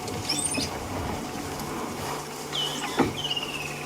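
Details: Unseen wattled starlings in a tree above a small buffalo herd on an African sunset drive, 28 December, possibly at a nest: high, squeaky, drawn-out whistles and chatters, oddly mammal-like, over an idling engine's hum.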